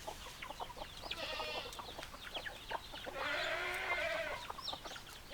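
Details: Farmyard hens and a rooster: a long, steady, buzzy crow lasting over a second comes late, after earlier shorter calls, over busy background peeping and clucking.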